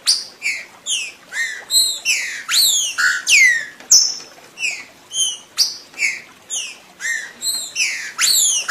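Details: Green-winged saltator song played to get other birds singing: strong slurred whistles, mostly falling, some sweeping up, repeated about twice a second in an uneven, overlapping stream at several pitch levels.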